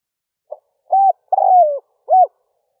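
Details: Decoy spotted dove giving one complete early-morning lure phrase for wild doves: a soft short note, a steady level coo, a long rolling coo drifting downward, and a final short arched coo.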